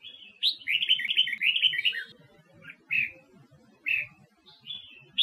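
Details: Huế-type red-whiskered bulbul from Vietnam, a wild-caught bird used to stimulate others to sing during voice training: a rapid warbled phrase of bright chirping notes, then short slurred whistles repeated about once a second, with quiet low murmuring behind.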